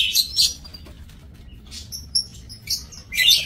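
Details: Lovebirds in an aviary, recorded 5 July 2024: sharp high chirps in short bursts near the start and end, with a few thin whistled notes between and quiet background.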